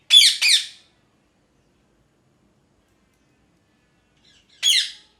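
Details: A parrot screaming: a quick pair of harsh, descending squawks, then a long pause of about four seconds before one more grating squawk.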